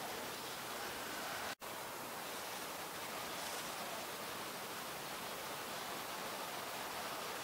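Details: Loud, even rushing noise like flowing water fills the whole recording, broken by one brief dropout, with no animal calls.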